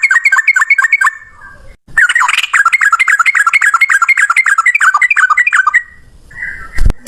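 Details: Male yellow-vented bulbul delivering a long fighting rattle: a short burst, then about four seconds of fast, bright, evenly spaced two-note chirps, ending with a soft hum and a click.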